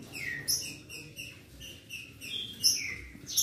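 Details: Green-winged saltator song from a duel recording meant to stir another bird: quieter, thinner whistled notes, some sliding down, spaced irregularly with a few sharp high chips.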